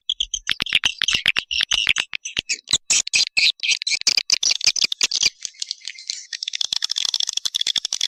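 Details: Walet Naga call for luring swiftlets: clicking, rattling series of sharp high notes that speeds into a dense continuous chattering twitter.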